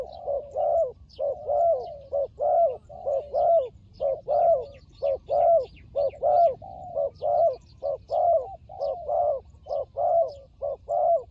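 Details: Turtle dove calling in a fighting display, Cambodia, trapping context: a steady run of about sixteen low, rounded coos in pairs and triplets, evenly spaced, with soft distant bird chirps in the background.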